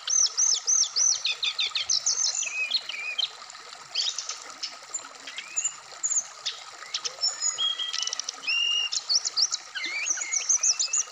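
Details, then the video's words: Black-throated laughingthrush song played as morning-dew therapy to get a bird singing, in the full-variation wikplong style. It is a rapid, unbroken stream of high whistled notes, rising and falling slurs and quick trills. "bunyi wikplong Dan gacor full variasian"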